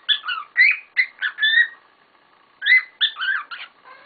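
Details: Noisy chorus of pet cockatiels: harsh warbling chirps and rising whistles in rapid runs, a silent gap of about a second, then another burst of chatter.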